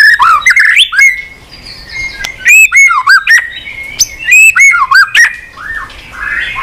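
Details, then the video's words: Caged white-rumped shama in long-lasting song with many odd voices. Loud whistled phrases with ringing high chips and down-slurred notes come in clusters about every second, with softer warbles between. "kích chòe lửa hót cực bền.hót liên tục , tạch đuôi sàn cầu kích là hót.chòe lửa hót nhiều giọng lạ"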